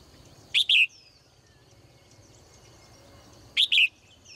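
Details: Female bird kept in a cage, morning song: a pair of quick, loud, high double chirps separated by three seconds of quiet, with faint distant twittering and a low background hum.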